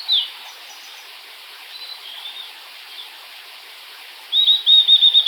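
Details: Blue-and-white flycatcher: a single sharp note opens, faint distant whistles follow, then a rapid run of about six quick repeated high notes at the end.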